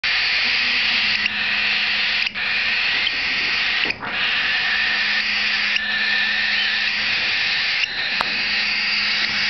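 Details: Cockatiel chicks hatched in late 2011 at a bird park in Kobe, Japan, begging for food: harsh, wheezy hissing in long unbroken bursts of one to two seconds with brief gaps. A faint low hum sits beneath.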